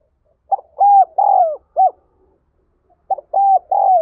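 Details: Spotted dove prompting call, played to excite decoy birds: two phrases of low, hollow coos, each starting with a short clipped note followed by longer droning coos that sag in pitch, a pause between phrases, no other sounds.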